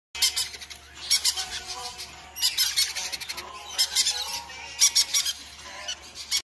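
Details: Baby green-cheeked conure giving harsh, high, scratchy squawking chirps in quick clustered bursts, four or five bouts with brief pauses between, over a low steady hum.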